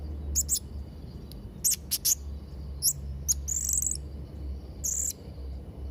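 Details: Blue-crowned hanging parrot song for training young birds: very high, shrill chirps and short trilled whistles in separate bursts across several seconds, over a steady low background hum.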